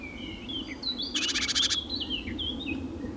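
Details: Harsh, dry rattle of a Eurasian magpie lasting about half a second, recorded in late April 2017 beside a small pond in Nouvelle-Aquitaine, central France, with other birds whistling and warbling throughout.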